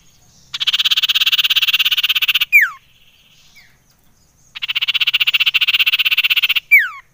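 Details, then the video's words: Common iora (cipoh) lure call for exciting birds: two long buzzy trills of rapid, even pulses, each about two seconds, each followed by a bright downslurred whistle, with a pause between. "Suara CIPOW / Cipoh Sangat AMPUH Menaikan EMOSI SIRTU APAPUN."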